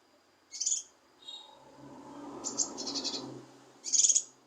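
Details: Lesser green leafbird (cucak kinoi) singing to provoke a lazy, quiet bird into song. Sharp, very high chirps come in three bursts, the middle one a rapid stuttering run, over a low murmur of background noise.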